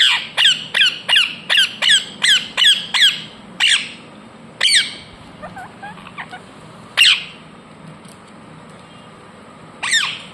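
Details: Indian ringneck parakeet screeching in a fast, even series of about ten sharp falling squawks, then slower isolated calls with softer chatter between them.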